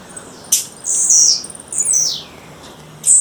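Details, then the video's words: Female blue-black grassquit in the wild: a sharp high click, then a long harsh buzzing note and a second buzzy, slightly falling call, ending with another sharp high note. "Tiziu fêmea, fêmea de tiziu chamando na natureza"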